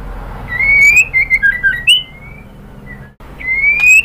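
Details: A female white-rumped shama calls a male. A long upward-sliding whistle leads into short choppy slurred notes, then near silence, and a final rising whistle.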